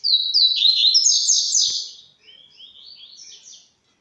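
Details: A small songbird, a canela branca just beginning to sing, pours out a fast, high, twittering warble for about two seconds, then trails off into a softer run of thin chirps.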